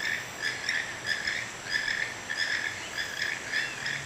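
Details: Wild toucans near a hotel porch in Santa Fe, Panama, give repeated hoarse, croaking notes at an uneven but steady pace, backed by a continuous shrill hum of insects.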